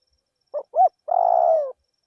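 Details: Song of a decoy spotted dove in a rice field. Two brief hooting notes lead into a long, rolling, slightly descending coo. A faint high hiss runs in the background.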